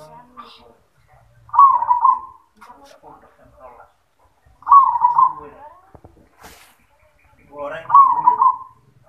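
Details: 'Yoman'-voiced zebra dove song: three rolling, bubbly coo phrases roughly three seconds apart, with faint talking and a sharp click between them.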